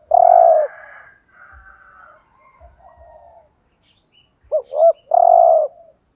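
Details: Spotted dove kept as a decoy to lure wild doves, cooing in the driving 'thúc gù' manner. It opens on a long loud coo, then soft murmured notes and a pause, and ends with two short rising notes and a long coo.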